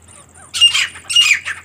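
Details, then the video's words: Female partridge call: harsh, grating squawks in two loud bursts about half a second apart, each with a few shorter rasping notes trailing off, outdoors. "teetar ki awaaz & teetar female sound"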